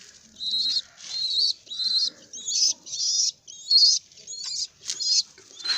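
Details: A baby pigeon walking around gives high, thin, squeaky whistled peeps in about nine short bursts, each slightly wavering and spaced by brief quiet gaps.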